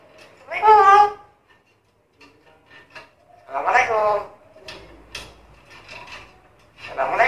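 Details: A talkative black-capped lory (Lorius) mimicking speech such as "hai" and "assalamualaikum", giving three voice-like, harmonic bursts about three seconds apart, rising and falling like speech, with faint clicks and rustling between.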